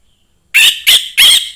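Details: Young forest-caught orange-headed thrush, a sound used to stir other thrushes, giving three loud harsh squawking bursts about a third of a second apart after a brief silence, with no other sounds.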